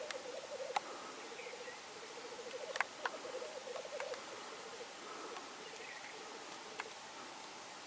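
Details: Black grouse, Norway, 8 May 2019: fast pulsed bubbling in the first half fading out later, scattered sharp clicks and brief higher chirps, over a hissing background.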